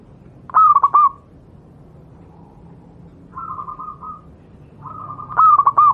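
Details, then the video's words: Wild local zebra dove (Geopelia striata), Javan perkutut, gives soft, stuttering cooing phrases of quick, mellow notes about every four to five seconds, with quieter cooing between and a faint background hum; used as tutor song. "burung Perkutut lokal alam, suara untuk masteran perkutut anda"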